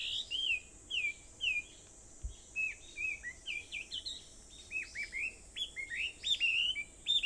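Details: Morning song on Aobayama in Sendai, 4:30, 21 July 2014: repeated whistled notes that rise and fall, given in loose groups of two or three, with several birds overlapping and a steady faint background hiss.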